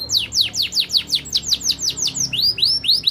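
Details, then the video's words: Canary delivering a steady tour of high, descending whistled notes repeated about four times per second, ending with rising sweeps. "SEKALI PUTAR KENARI LANGSUNG NYAUT!!"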